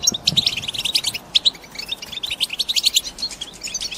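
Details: Rapid twittering from caged female European goldfinches, a chatter meant to break a male's silence and prompt breeding-season singing; quick sharp high notes crowd together, with a softer patch in the middle before the chatter resumes.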